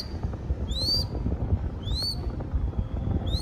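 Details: Baby crested goshawk fed by its keepers in Cambodia utters three shrill upward-sweeping whistles, separated by about a second, with a faint lingering tone between calls and heavy low rumbling noise underneath.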